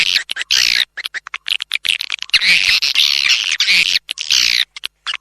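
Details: Calling sound used to attract swiftlets by swiftlet-house owners, made of choppy buzzy chirps and rasping twitters in irregular bursts, with a sustained chattering run through the middle.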